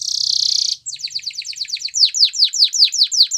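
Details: Canary singing: a dense buzzy trill, then rapid downward-swept whistled notes. They slow to about three per second and grow louder toward the end.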